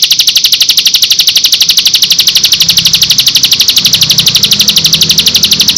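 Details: Lure recording of Bar-winged prinia song meant to draw replies from other prinias. A steady, shrill trill of evenly spaced high pulses, about four per second, throughout, with soft low rumbling in the background.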